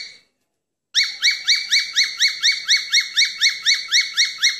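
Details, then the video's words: Falk bird song used as daily training audio for other birds: after a brief pause, a fast, steady string of sharp, high, rising-and-falling whistled notes, about four each second. "SIULAN BURUNG FALK"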